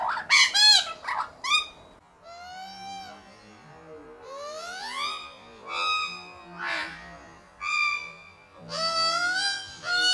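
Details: Australian magpie family feeding on unsalted peanuts at a home in Melbourne gives rich, harmonic calls, some sliding upward, others harsh and nasal, in overlapping bursts every second or two.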